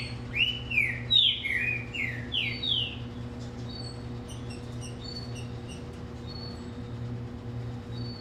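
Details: Green-winged saltator giving a quick run of about six loud, looping whistled notes, each slurring down then up, followed by fainter scattered chirps over a steady low electrical hum.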